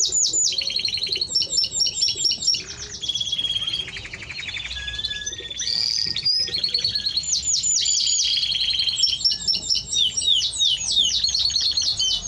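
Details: Timbrado Español canary singing a long varied song of rapid metallic trills and rolling repeated notes, shifting between high and lower phrases with brief pauses.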